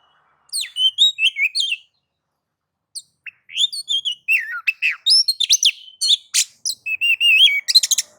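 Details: Oriental magpie-robin (kacer) singing in the nagan and ngobra modes, used to provoke other magpie-robins to sing: clear whistled phrases that rise and fall, sharp trills and sweeps in quick bursts with short pauses.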